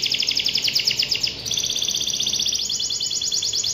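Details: Canary singing a continuous rapid high trill, notes tightly repeated, switching after a short gap to a slightly lower, smoother rolling trill that carries on steadily to the end.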